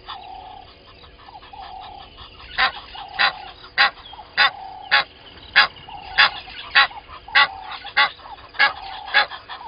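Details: Egyptian goose pair at dawn, 05:32, at Gowrie dam waterhole on Djuma Game Reserve, Sabi Sand, South Africa; after a quiet start, loud harsh honks repeat steadily about every half second, with birdsong behind.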